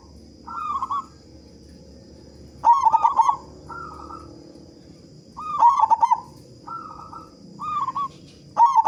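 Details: Local zebra dove with a big voice, sung as a lure to get other doves calling fast; quiet quavering coos between loud rapid pulsed phrases every three seconds, over a steady high-pitched hum.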